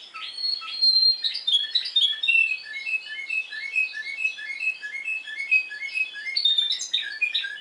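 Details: Spanish timbrado canary from Madeira, Portugal, singing in the discontinuous timbrado style: clear, metallic whistled notes and short trills at varied pitches, delivered in separated phrases.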